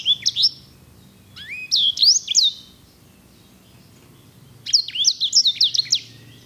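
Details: Sanger, or grey singing finch, a songbird valued for its luxurious roll: two short bursts of high, fast whistled notes with sweeping slurs and chirps, separated by a quiet pause of about two seconds.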